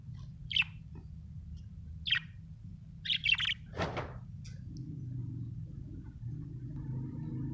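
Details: Happy budgerigar giving a few short sharp chirps in the first seconds, followed by a louder thump and low room hum as the calls stop.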